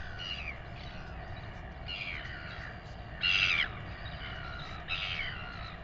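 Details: Royal albatross chick in New Zealand begging while its father feeds it, during a weighing: short, strained squealing notes sliding downward, one louder shrill call near the middle, set against a constant low wind roar.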